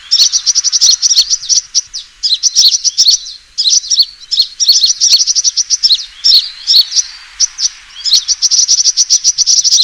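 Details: Sunbird fighting call played as a lure for trapping birds: excited, very high chirping in rapid, uneven bursts across ten seconds, with dense trilled runs at the start and end.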